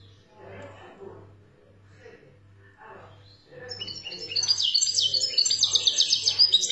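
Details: European goldfinch from Algeria singing in the 'khaloui' style: soft murmuring at first, then from mid-clip a bright, rapid high twittering of buzzy notes and trills over a steady low hum.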